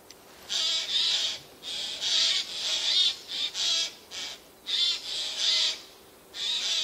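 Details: Several Eurasian jays calling from spruces on 13 September 2024; a run of rough, noisy screeches, each about half a second long, coming in quick irregular succession with brief gaps.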